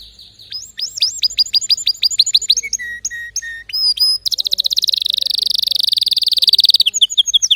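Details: Canary song with distinctive notes: a run of rising upswept whistles, then steady held whistled tones, and finally a long, fast, buzzy trill rolling at an even rapid pace before brief closing chirps.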